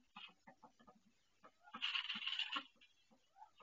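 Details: A domestic duck in pain while laying her first egg in a nest she built, indoors; short repeated low quacks, then a loud harsh drawn-out cry near the middle, followed by softer quacks.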